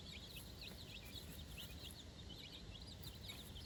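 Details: Chicks aged four days, out on fresh grass with their mother for their first time, make soft, high, repeated peeps that sound somewhat muffled beneath constant rustling background noise.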